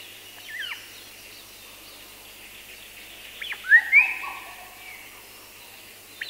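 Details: Black parrot from Madagascar, singing with other birds including Madagascar cuckoo: a few clear whistled notes, one falling sharply, then a sustained sliding whistle with a lower parallel tone, quiet background between phrases.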